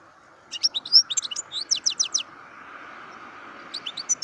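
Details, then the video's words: European goldfinch giving a burst of lively twittering song: sharp, high chirps and short slurred whistles in a fast run, pausing, then resuming briefly, with a steady humming background throughout. "Goldfinches(carduelis) Amazing Singing Compilation"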